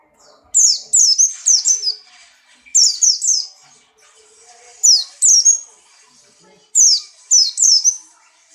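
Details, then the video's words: Caged white-eye of the Buxtoni type in strong breeding condition, hopping and singing: rapid runs of four to five high, sharp, falling chirps, each burst repeated about every two seconds, with little other sound. "burung pleci Buxtoni birahi kencang loncat indah nembak"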